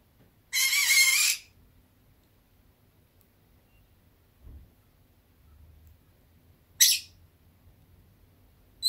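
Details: Sleepy indoor Fischer's lovebird on a warm day gives a long, harsh, buzzy screech of nearly a second, then after a quiet pause a single short sharp chirp.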